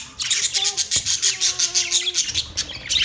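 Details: Budgerigar chatter: a rapid string of bright, pulsing high chirps repeated several times a second, over faint soft whistled tones.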